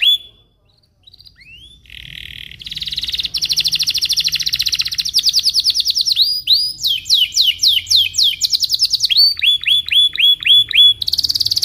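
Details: A Belgian canary sings in the morning, used as a training song for young canaries: a long, loud, high song of fast trills, buzzy rolls and rapid repeated whistled notes, changing pattern every second or two.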